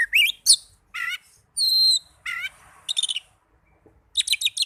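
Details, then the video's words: Oriental magpie-robin, a young bird, delivering separate song phrases. Rising chirps, a long level whistle, and rapid trilled bursts alternate with short silences. "Terapi Burung Kacer Muda"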